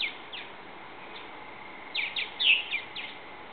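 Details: Young purple martins old enough to leave the nest at a backyard bird house, testing their wings; short sharp high chirps, a few early then a quick cluster of five or six in a row, over steady faint background hiss.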